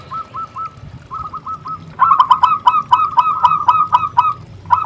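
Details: Energetic local zebra dove song played to stir other doves into singing: short repeated notes, first a soft run of paired notes, then a louder, denser stream of quick, clipped, slightly rising notes about four per second.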